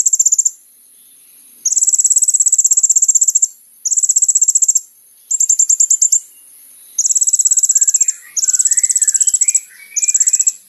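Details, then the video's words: Olive-backed Sunbird singing vigorously, recorded for use as a lure to draw a response from other birds: long, very high, rapid trills about a second or more each, repeated with short pauses, with faint softer chirps near the end. "SUARA BURUNG KOLIBRI NINJA GACOR"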